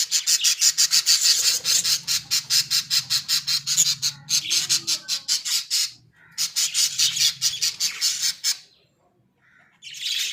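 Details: Small-cage pet budgerigars chatter in long runs of harsh, rasping pulses, roughly four per second, broken by two short silences and resuming at the end.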